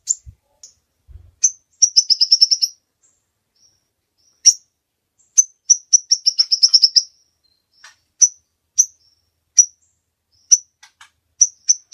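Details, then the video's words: Kolibri Ninja sunbird pikat masteran: scattered sharp high chirps interspersed with two quick stuttering trills, the notes spaced irregularly across the stretch in a lively gacor pattern. "Suara Burung Kolibri Ninja Pikat gacor Durasi Panjang mantab buat masteran"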